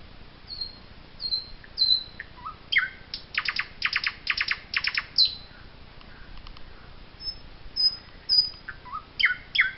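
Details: Eurasian jay in the Wittlich valley, Germany, 2018. Harsh, rasping bursts are repeated in a quick series mid-way, and short high whistled and chirping notes come before and after.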